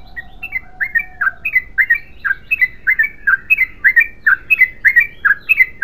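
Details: A Yellow-vented bulbul sings its 'ropel panjang' long continuous song: a faint whistle opens, then a string of mellow, bubbly, dipping phrases flows steadily at about one per second without a break.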